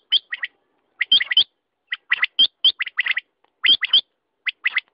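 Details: Quail uttering crisp, high, slightly ringing notes in groups of two to four, repeated steadily with short silences between groups.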